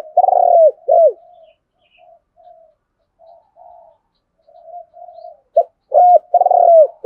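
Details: Spotted doves, male and female, calling to provoke a wild dove to fight: strong low coos open and close the passage, with soft, muted cooing notes scattered through a quieter middle stretch.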